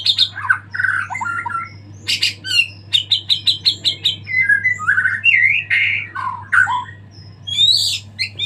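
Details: Murai, the white-rumped shama, in full song after moulting: varied whistles and squawky notes, a run of quick repeated high chips, and slurred rising and falling phrases, with a constant low hum behind.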